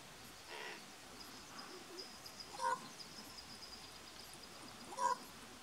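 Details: A common raven at Point Reyes National Seashore on 26 June 2016 gives three soft, hollow quork calls, spaced about two seconds apart, against a quiet background hiss.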